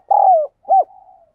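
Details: Decoy spotted dove cooing to lure wild doves: a long coo that slides downward, a short arched coo, then a faint trailing tone.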